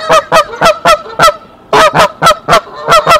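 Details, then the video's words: Female goose sitting on eggs at Decorah gives alarm calls on 27 March 2023, bringing the male to the nest. Quick series of about ten loud, rasping honks, broken by a short pause partway through. "Mother Goose sounds the alarm"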